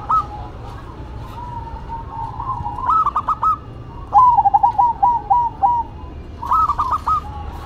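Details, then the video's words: Duet of two zebra doves, one local and one cemani: soft warbling coos lead into three bursts of quick stuttering notes, each phrase ending in a drawn-out tone. "Duet Perkutut irama, Lokal Vs Cemani"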